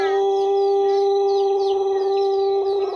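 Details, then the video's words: Pelung chicken long crow, a prized luxurious voice: a loud, steady, very level harmonic tone held for the full three seconds, with faint chirping from small birds in the background. "Suara ayam pelung kokok panjang/kebat"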